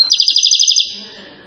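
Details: European goldfinch from Settat, Morocco, described as a rare recording of a bird nicknamed king of singers: one short rapid trill of bright repeated notes that stops abruptly and is followed by quiet.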